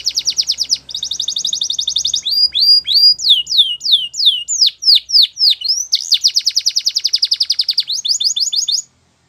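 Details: Continuous Belgian canary song opening with a buzzy rapid roll, shifting into loud swooping whistled notes repeated about twice a second, then another long dense trill and quick rising chips to finish.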